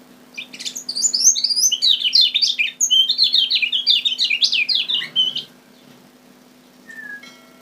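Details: Kecial kuning from Lombok, used as a lure song for catching birds: a fast, high, chattering warble of tumbling twittered notes for about five seconds, then a short thin whistle after a pause, over a faint steady low hum.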